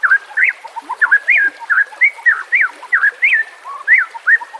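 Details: White-rumped shama on a lure and training recording. Mellow, looping whistled phrases are repeated in short, evenly spaced units, each rising then dropping.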